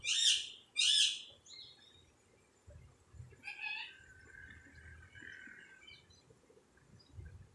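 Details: Tame pet Indian ringneck parrot kept at home, described as a talking parrot: two loud harsh harmonic squawks in the first second, then softer scattered chatter and murmurs with faint room noise.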